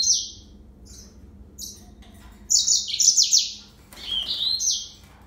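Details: Serinus mozambicus, yellow-fronted canary, starting with a short trill and a few faint chirps, then a lively burst of rapid warbled notes and a final sliding trill.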